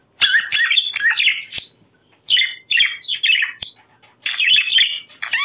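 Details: Budgerigars warbling to stimulate breeding: three bursts of chattering, squeaky chirps and short whistles separated by brief pauses, each burst lasting one to two seconds.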